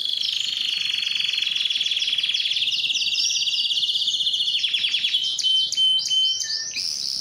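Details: Singing canary, Belgian or Spanish timbrado, for training songs: a long dense high trill sliding slowly downward, then quick descending note bursts and a few clear whistled tones near the end.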